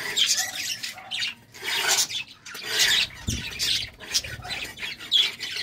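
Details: Budgerigars during courtship: rolling, buzzy warbled phrases rising and falling in loudness, with a brief low thud midway.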